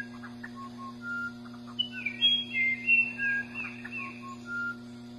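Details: Musician wren delivering a cluster of bright, rising and falling whistles in the middle, framed by lower steady whistles and soft chattering notes, with a continuous low hum in the background.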